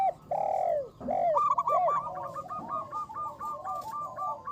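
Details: Local zebra dove, a loud lure singer, starts with three long arched coos separated by brief gaps, then shifts into a fast, even string of short repeated coos.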